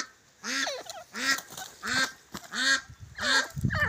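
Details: Grey francolin (desi teetar), from a francolin fight recording, giving five harsh, nasal, ringing notes, each rising then falling, repeated steadily about every two-thirds of a second.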